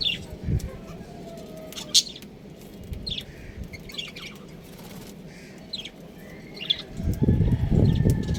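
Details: Breeding pair of pet budgerigars giving bright, brief chirps and squeaks every second or so, with a longer thin whistle near the end, over low background rumble and a burst of clattering noise at the close.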